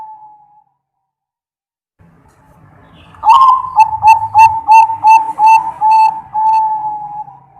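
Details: Real zebra dove singing, used as a lure and training song: after a faint opening note, a fast series of about ten clear, level cooing whistles runs for four seconds, with a quiet low rumble underneath.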